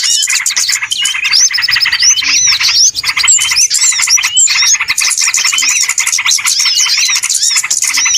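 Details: Crowded lure recording of small birds used for bird trapping: long, dense twittering with many overlapping chirps and quick upswept whistles, nearly continuous with only brief pauses.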